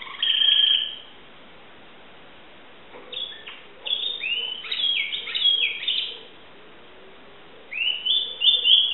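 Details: Timbrado canary in Greece, 2009, giving bursts of song: a high whistled note, a pause, then a run of varied chirps and slurred whistles, another pause and a closing high whistled phrase.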